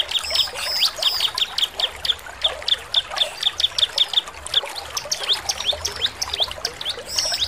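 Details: A bar-winged prinia in full song, used as a lure to provoke other prinias to respond, sings a busy stream of sharp, high chirps and ticking notes.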